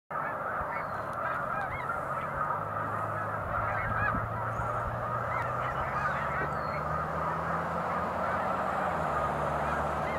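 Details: Large flock of snow geese resting on Cayuga Lake on a March afternoon, a dense continuous chorus of nasal honking calls overlapping without pause, with a low steady rumble underneath.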